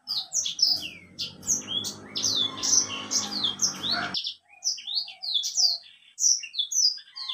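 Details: Energetic song of a caged white-rumped seedeater: continuous rapid high chirps and downslurred whistles over a humming background for four seconds, then clearer twittering phrases.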